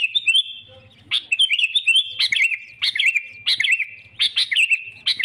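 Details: Sooty-headed bulbul song meant to lure rivals into traps: a long whistled line, then phrases each opening with a sharp note and a curling warble, repeated about every 0.7 seconds.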